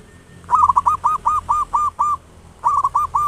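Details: Local zebra dove with a big voice, used as a lure to quickly stimulate other doves to sing: a rapid run of eight hooked, cooing notes, a short pause, then four more in the same rhythm.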